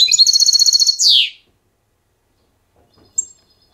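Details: Trained European goldfinch in silvestrismo clean song style: a quick run of high, rapid trilled notes ending in a falling slur, followed by silence and one faint distant chirp.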